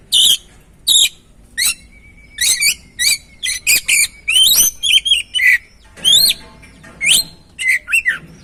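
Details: Oriental magpie-robin song played to get a stressed, quiet bird singing again: a long lively sequence of varied whistles, a held flat note, slurred upward sweeps and quick chirps, nearly continuous, with faint low hum.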